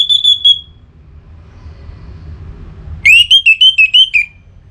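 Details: Song of an orange-headed thrush from Singaraja, North Bali, roused to breeding mood and calling a rival. It opens with a sustained high whistle, goes quiet, then gives a series of about seven loud, clipped, rising whistles in quick succession.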